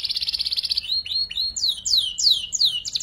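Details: Juvenile canary practising the ngeriwik song for training murai and kacer birds: a rapid buzzy trill, then a series of loud, sweeping falling whistles repeated roughly every third of a second.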